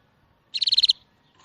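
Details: Bird giving a brief, high trill of about seven rapid, evenly spaced pulsed notes lasting under half a second, set against near silence.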